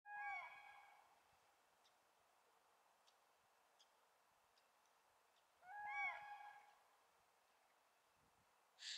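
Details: Common cranes newly arrived in spring on a misty 18 February 2017 at a floodplain in Rożdżały, Poland. Two rough, ringing trumpeted calls about six seconds apart stand out from a quiet background with faint ticks.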